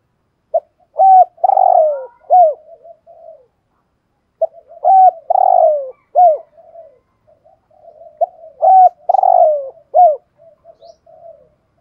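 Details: Spotted dove kept as a decoy, 'giọng thổ' voice, calling: three repeated phrases roughly four seconds apart, each a short pip, then loud low coos with one long falling note, trailing into quiet gurgles.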